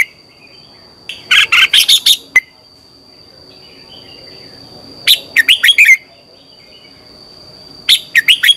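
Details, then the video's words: Red-whiskered bulbul morning song, a decoy recording for training other bulbuls to sing: three bursts of four to five quick, bright, warbled whistles, spaced about three seconds apart, over a steady faint high electronic whine. "Luyện chào mào hót sáng - QUÁ HAY KÍCH CHÉ"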